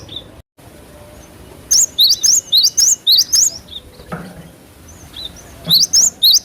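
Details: Cinereous tit singing hard, natural recording to draw fast responses from cage birds: a rapid string of about eight piercing whistles swinging between two pitches, a pause with low background hiss, then four more.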